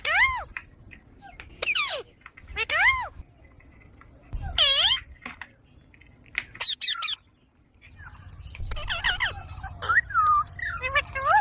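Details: Green desi parrot chick talking: loud arched squawks that swoop up and down, a few sharp clicks, then a busier stretch of wavering whistled notes over low background murmur.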